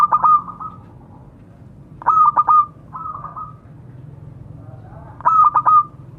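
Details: Calling to its fellows, a local zebra dove gives three staccato cooing bursts. Each burst carries a rolled ending, with a lone softer trill between the second and third. Faint low hum underneath.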